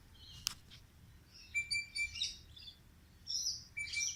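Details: Bird singing: high thin whistled notes and short chirps around the upper range, a steady level tone held near 1.5–2 s and again near 3.8 s, separated by brief pauses, over faint low background noise.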